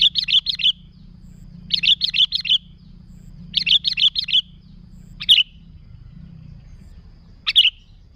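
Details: Sooty-headed bulbul recording intended to attract bulbuls: short bursts of four quick chirps repeated about every two seconds, then two lone sharp notes, over a steady low hum.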